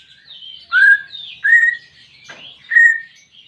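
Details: Greater green leafbird (cucak ijo) song for a pet bird slow to sing: three loud clear whistles, each held then slurring, between softer high warbling and a brief rasping note.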